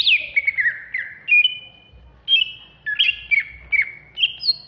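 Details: Greater green leafbird, Banyuwangi type, in raging ngentrok song: a swooping note opens a run of varied whistles, some with buzzy edges, given in short phrases separated by brief pauses.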